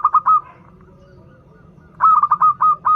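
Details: Local zebra dove with a sweet, frequent song, used to lure doves learning to sing; a phrase opens with a rapid stutter of coos and settles into slower, longer held mellow notes, repeated after a short silence.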